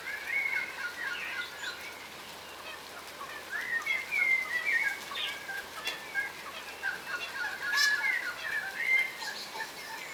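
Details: Several yellow rosellas, a crimson rosella subspecies from Australia, feeding on the ground; intermittent squeaky whistles and chattering bursts come in uneven clusters, with a quieter pause early on and a sharp call near the end.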